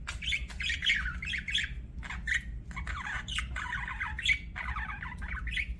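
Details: Busy budgie warbling: scratchy squawks and chattering trills in clusters separated by brief gaps, with a soft low hum throughout.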